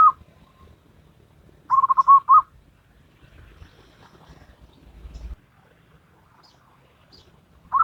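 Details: Local wild zebra dove singing in the Salendro rhythm: one short burst of quick, soft rolling coos, then long quiet stretches with faint rustling and low rumble.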